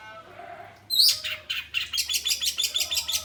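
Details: Oriental magpie-robin singing in ngeplong or materi style: a quiet lead-in, then a loud piercing high note followed by a fast, evenly spaced series of bright chipping notes.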